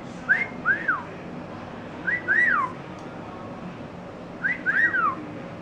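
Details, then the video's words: A pet rainbow lorikeet that has learned to say words like "hello", "meow" and "quack" gives three bursts of clear, mimicked whistles that rise and then slide down, spaced about two seconds apart, over a quiet indoor hum. "Rainbow Lorikeet Lyndsay talking"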